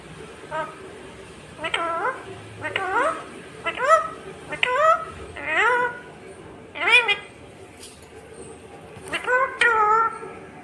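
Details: Indian ringneck parakeet chattering a long run of short, rapid speech-like syllables with bending harmonic pitch, grouped in quick bursts with brief pauses.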